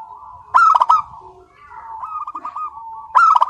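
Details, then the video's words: Local zebra dove singing nonstop with a clear, crystal voice: a loud burst of ringing notes, a rising run of soft cooing pulses, then another loud burst, in a fairly quiet setting. "Perkutut Lokal GACOR SUARA KRISTAL MANGGUNG TANPA JEDA"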